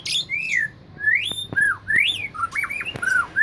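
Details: An easily agitated white-rumped shama gives loud, clear whistled phrases about twice a second: arched slurs, a rising then falling whistle, stepped notes and short sweeps, with a few sharp clicks.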